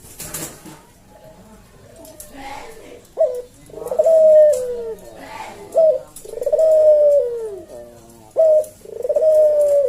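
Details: Javan puter, a collared dove kept as a cage bird, cooing in the slow senggang style used to tutor and lure other doves: a sharp opening note, then a long sliding coo falling in pitch, repeated about every two and a half seconds.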